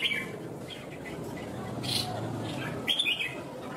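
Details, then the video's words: A caged Red-whiskered bulbul in Vietnam, kept as a competition fighter-singer, gives brief, bright whistled phrases at the start, middle and end, over a steady murmur of background noise and voices. "Chào mào CAFE cứng , chiến binh ché đấu hót xòe"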